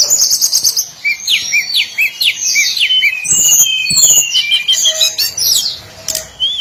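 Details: Daily song of a hill blue flycatcher: rapid, jumbled high whistles and twittering phrases with rising and falling notes, over steady background hiss and several sharp clicks.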